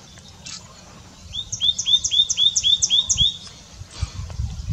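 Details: White-naped tit calling away continuously: a quick run of about seven bright, rising whistled notes repeated nearly four per second, preceded and followed by quiet background.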